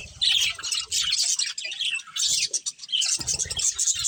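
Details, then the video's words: Several budgerigars, including a breeding pair, chatter in bursts of shrill chirps and scratchy squawks, with soft low rumbling beneath some phrases. "Cute Budgies Chirping Sounds"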